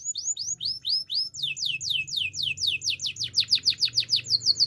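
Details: Russian canary in full song: a long run of fast, descending whistled sweeps that speed up and grow louder toward the end, ringing and clear.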